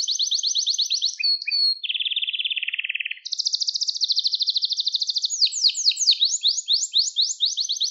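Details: Singing canary, a recording meant to train young birds: a rapid high trill drops into a lower buzzing roll, then climbs to bright fast trills and ends in sweeping repeated notes, no background noise.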